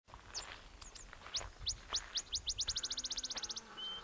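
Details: Botteri's Sparrow, most likely, recorded at Arivaca, Arizona on 30 June 2015: a few high chips, then sharp notes that speed up into a rapid bouncing trill. Faint background rustle.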